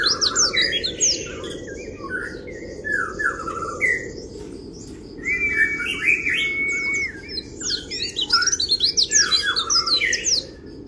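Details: Oriental white-eye kriwik song meant to rouse rival birds: dense bursts of high, fast twittering and short chirps, with a sustained flat whistle near the middle and brief pauses between phrases, over a steady low background hiss.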